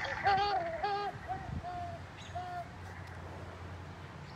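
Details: A great horned owl gives about five short, nasal, mid-pitched calls in four seconds, each flat or slightly wavering, one of its many call types, over a low room murmur.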